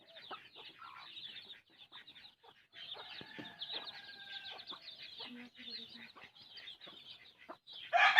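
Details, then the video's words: Hen feeding her chicks, with many thin high chick peeps chattering throughout, a few low soft clucks and a brief steady tone in the middle, ending in a sudden loud burst. "A hen feeds her chick"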